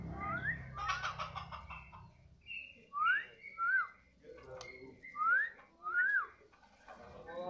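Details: White-rumped shama (murai batu), singing energetically (gacor) just after feeding. Pairs of clear whistles that swoop upward and then dip, spaced a second or two apart. Voices are heard at the start.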